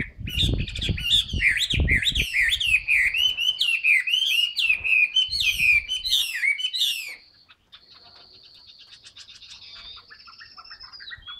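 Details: Caged Chinese hwamei in fresh new plumage, singing with fanned tail: loud, rich whistled phrases sliding up and down for about seven seconds, with quick repeated notes. Softer, thinner notes follow. Low thumps and rustling sound in the background.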